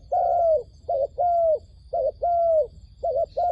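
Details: Dove call used as a lure for trapping wild doves, a steady run of short notes each followed by a long, level coo that falls at its end, about once per second, with a faint high background hum.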